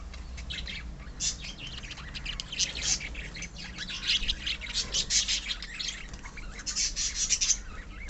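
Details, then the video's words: A colony of budgerigars, described as love birds, kept as pets: dense overlapping chirps, twitters and short squawks from many birds at once, a continuous busy chatter with louder bursts every second or so and a low background hum. "love birds colony"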